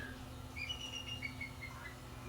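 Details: A Bald Eagle out in a tree gives a thin, high piping series of about eight quick notes, drifting slightly downward, heard from indoors over a steady low electrical hum.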